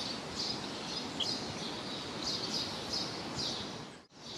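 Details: Common blackbird (Turdus merula) calling at Choupal, Coimbra: thin, high, short notes repeated at uneven intervals of about half a second, over a steady hiss of background noise, with a brief dropout near the end.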